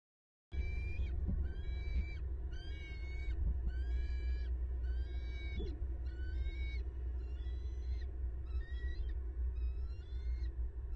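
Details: Wild bald eagle at a Southwest Florida nest, filmed by nest camera on 10 December 2021 as the male brings a fish to his mate: series of high, thin, piping chirp bursts, each slurred and wavering, repeated about every half second over a steady low hum.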